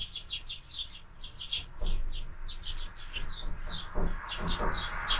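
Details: Sparrows at a window-mounted bird feeder in the morning, giving a busy stream of short, bright chirps that overlap and tumble over one another, with a few soft thuds and low room rumble underneath.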